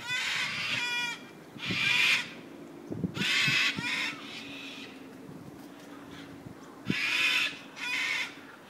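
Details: Harsh, grating screeches from wild cockatoos at the Royal Botanical Gardens in Sydney, Australia, given in loud half-second bursts about every second or two, with faint knocking and low rumbling background sounds between calls.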